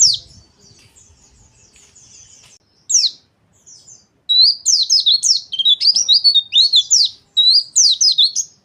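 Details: Rough ngeriwik chatter from a white-eye, meant as lure and therapy sound: soft thin high notes and a lone sharp call, then sustained bursts of fast, harsh, squeaky twitters to the end.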